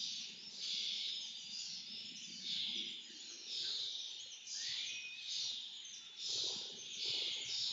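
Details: Begging lesser kestrels at a feeding, rasping broadband screeches repeated in swelling waves roughly every one to two seconds, with one brief rising whistle in the middle and steady low background hum.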